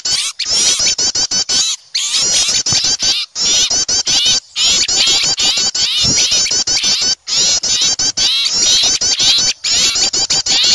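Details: An excited crowd of small birds frightened by an owl, used to lure wild birds: almost continuous, dense, high-pitched chattering and chipping with only a few short breaks.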